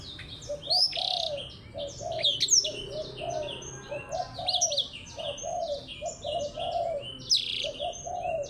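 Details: Blackthroat competing with a Java sparrow: an unbroken stream of thin, high whistled and trilled notes. Low, soft hoots repeat roughly every half second beneath it.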